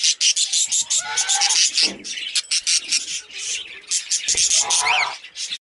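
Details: Pet budgerigar, also called parakeet, chattering steadily: dense, scratchy, buzzy warbling notes in near-continuous bursts, with a few brief clearer whistled squeaks mixed in.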